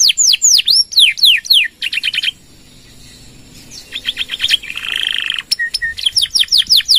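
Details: Canary in full, long-phrased song meant as a model and lure for other birds: looping whistled sweeps, brief pulsed bursts, a pause, a rising rattle and buzzy trill, then renewed rapid sweeping notes.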